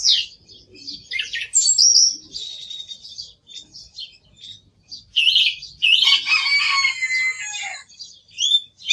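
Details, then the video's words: Song thrush singing a varied run of high phrases, some clear and whistled, others harsh, scratchy and buzzy, in bursts separated by short pauses, with a dense chattering phrase near the end. "Sonido del Zorzal Comun - Sturz cantator - TURDUS PHILOMELOS"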